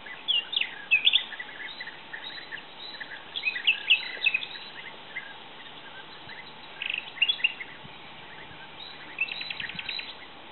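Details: Mating European bee-eaters give rolling, liquid trilled calls in four clustered bursts, several birds overlapping, over a faint steady background hiss.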